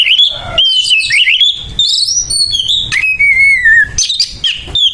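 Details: Oriental magpie-robin fighting song, loud and coarse, used to make other magpie-robins agitated: tumbling, warbled whistles rising in pitch, then a long level whistle that slowly falls, with sharp high notes after.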